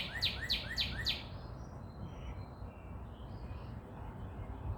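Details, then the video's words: At sunrise in Dallas, Texas, a bird gives four sharp, quick chirps in about a second, then fainter high twitters from other birds over a steady low background rumble. "Sunrise & Chirping birds"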